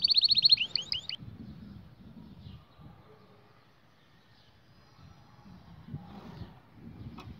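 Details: Canary song played for training young canaries: a fast run of bright, high rolled notes and a few rising chips in the first second, then only a low background rumble.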